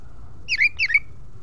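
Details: Oriental magpie-robin in ngeplong style, sung to prompt other magpie-robins to open their tails: two bright whistled phrases, each a quick rising note dropping into a slurred lower whistle, against faint low background hum.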